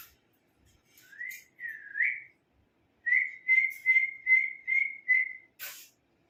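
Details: Pet ringneck parakeet indoors giving a series of clear rising whistles, two longer slurred notes then a fast run of six short repeated whistles about every third of a second, ending with a brief noisy burst.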